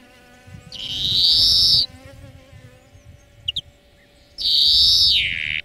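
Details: Two long, harsh, nasal wheezes of European greenfinch song, each nearly one and a half seconds and dropping in pitch at the end, with a couple of faint sharp notes between, from a song lesson for training birds.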